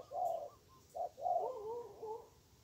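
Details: Spotted dove, a fierce wild bird with a good voice, answering a weak decoy during trapping: low hooting coos, a short phrase then a longer wavering rolling coo, in quiet surroundings.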